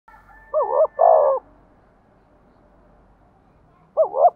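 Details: Decoy spotted dove cooing in a thổ voice style: a short double-humped coo followed by a longer throaty note, repeated after a pause, with a faint steady tone at the start.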